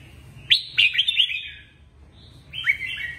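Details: Song of a caged red-whiskered bulbul, played to make caged birds lively: a rapid run of rich, slurred whistled notes, a brief pause, then a second shorter rising, warbling phrase.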